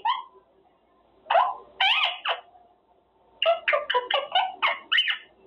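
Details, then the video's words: Pet male Quaker parrot in his cage practicing words, a few scratchy speech-like phrases followed by a quick string of raspy syllables, indoors with a quiet room background. "Parrot practicing words - Talking Quaker parrot"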